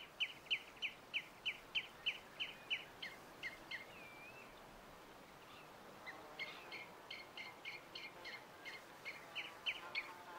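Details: Pied avocet at RSPB Titchwell Nature Reserve, September 2016, giving clear, fluty 'kluit' notes about three a second in two bursts, with a brief softer bird note between and low background hiss.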